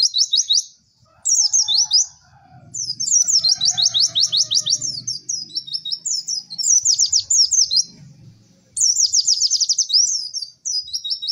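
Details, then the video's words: White-eye song for training other birds: bursts of high, fast trills and twitters in repeated phrases, with a faint low rumble underneath. "MASTERAN PLECI TERBARU PALING AMPUH CEK CEK WERR"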